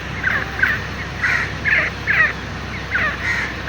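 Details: Grey partridge, or teetar, delivering a run of about eight strident, buzzy notes spaced closely together, growing louder midway, with a low background drone.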